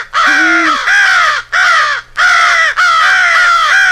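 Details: American crow rally call from a compiled jumble of crow calls staging a fight with an owl: harsh, hoarse caws in long dragging bursts, four runs separated by short gaps, with a brief lower tone at the start.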